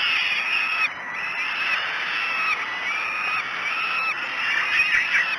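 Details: Loud, continuous, overlapping wails from falcon chicks being fed breakfast at Great Spirit Bluff on the morning of 5 June 2016 form a harsh, strained chorus with brief dips and swells.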